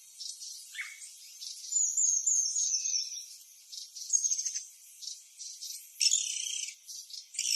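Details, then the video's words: Wild birds chirping in the Atlantic Forest of Brazil: high thin whistled notes and buzzy trills from several birds overlap, with a steady insect-like hiss beneath and a sharper chirp burst near the end. "Birds of the Atlantic Forest, Brazil || Beautiful Chirping Sounds"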